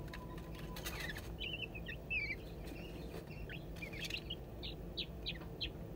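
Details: Crested wood partridge chicks in captivity at a zoo: one 22 days old and two siblings 11 days old, scratching for bugs and seeds. Soft, short high chirps and peeps sound in a loose, irregular series over a steady low background hum.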